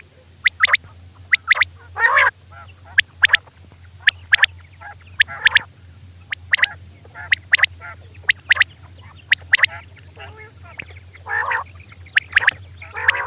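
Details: Common quail female call, played to lure quail for hunting: sharp, clipped notes repeated in short bursts, mixed with harsher, buzzy, rasping calls, over a steady low electrical hum.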